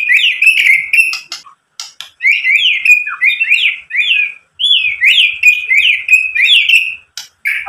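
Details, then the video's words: White-rumped shama song played to provoke other shamas: a fast repeated series of sharp, down-slurred whistled notes delivered in quick rhythmic bursts with a few harsh clicks between. "SUARA MURAI BATU memancing EMOSI jadi BUNYI NYAUT GACOR BONGKAR ISIAN | PANCINGAN MURAI"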